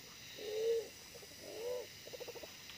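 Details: Fierce wild pigeon, smaller-bodied than the decoy, calling at a trapping site: two low humming coos, the second slightly bowed in pitch, then a patter of short soft pulses over a steady background hiss.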